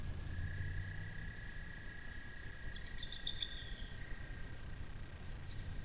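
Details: Bald eagle at a nest with hatching chicks, watched by a nest cam along the Little Miami River near South Lebanon, Ohio, USA; a brief, faint, high chittering run of quick notes stepping downward, over a steady electronic hum and low background rumble.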